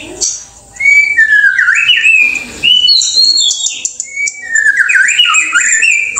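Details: White-rumped shama of an Indonesian variety singing a rich, varied song of loud fluty whistles and sliding phrases, with higher chattering notes woven in.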